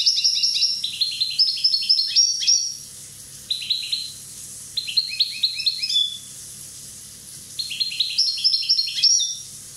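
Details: One-year-old European goldfinch of Corsican origin in full song: loud, fast twittering and tinkling phrases in three long bursts separated by pauses, with a faint low hum behind.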